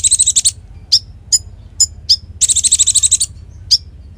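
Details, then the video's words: Konin in vigorous song, recorded as tutor material for magpie-robins: a string of quick high notes, then isolated sharp chirps about every half second, a longer glittering trill, and one final chirp, faint hum behind. "Masteran Konin Gqcor Nembak Full isian"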